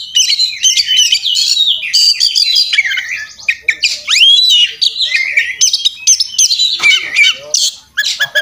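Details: Fighting-style song of an Oriental magpie-robin (kacer), persistent and full of mixed phrases, recorded for tutoring other birds: long stretches of high chatter, buzzy trills and upward-arching whistles, with brief gaps before sharper notes near the end.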